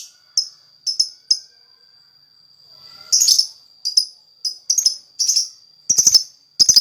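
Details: Lakbet singing vigorously to lure others: short high chirps, a brief lull, then a lively run of raspy bursts and doubled notes coming faster toward the end, over a steady thin high tone.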